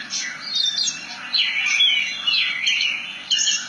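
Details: Javan bush lark singing a rolling ngerol phrase of warbled, wavering whistles that slide up and down, broken by a few sharp high notes.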